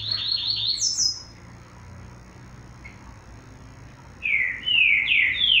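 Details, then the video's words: Captive-bred female yellow-bellied seedeater, recorded for the collector; quick high trilled notes at the start, a gap, then a series of loud descending slurred whistles repeated about twice a second, with faint low hum beneath. "Femia de papa capim ninhado para o colera"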